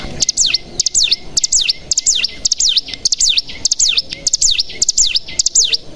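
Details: Bar-winged prinia call used as a lure to make untrained birds sing 'bren': paired high notes that sweep steeply downward, repeated in steady groups roughly every half second, with short clicks between.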